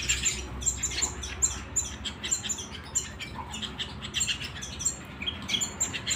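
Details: An indoor house canary (Serinus canaria) sings a steady string of sharp, high chirps, about two or three a second, with faint room hum beneath; song.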